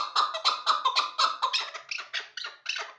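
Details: Hybrid chukar partridge kept for hunting, described as the best partridge for the hunt, giving a run of harsh, chattering notes about three per second, each with a bright mid-pitched band, slightly quieter and more clipped toward the end.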